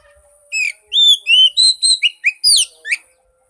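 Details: Magpie-robin song for coaxing a silent bird: about nine energetic whistles in three seconds, mixing falling slurs, rising notes and a brief harsh chatter, over a low steady background tone.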